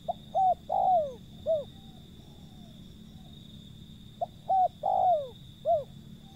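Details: Wild zebra dove: phrases of quick clipped notes leading into a longer falling coo, then a short note, repeated twice, with low background rumble and a steady high whine.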